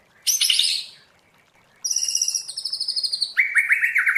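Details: Song of a white-rumped shama, a forest-voice style for training: a high bright whistle, a gap, then ringing high pure notes and a fast series of sharp repeated chips ending in lower rolling notes.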